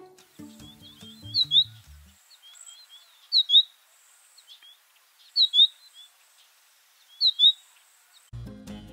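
American Goldfinch giving four bright, high, twittering phrases about every two seconds, like 'po-ta-to-chip'. A person's voice is heard at the start and end.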